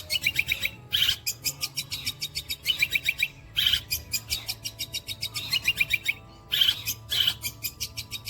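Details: Long-tailed shrike delivering mimicked sparrow, walang kecek insect, kuntilanak and petir phrases: fast runs of dry repeated ticks broken by sharp high chips, over a steady low hum.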